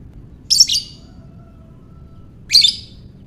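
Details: Ngekek calls from a lovebird, used to provoke other lovebirds to sing: a pair of sharp, scratchy high squeaks separated by a two-second pause, over a faint steady background hum.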